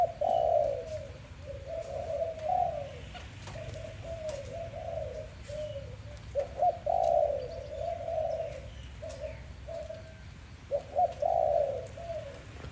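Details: Morning dove call: repeated low coo phrases in loud pulsing bursts with gaps between, over steady low background noise and occasional clicks.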